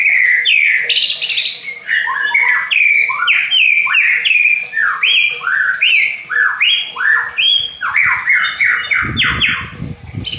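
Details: Aceh white-rumped shama pouring out a long varied song of swooping whistled notes, rising and falling slurs repeated in quick succession, with a low rumbling noise near the end.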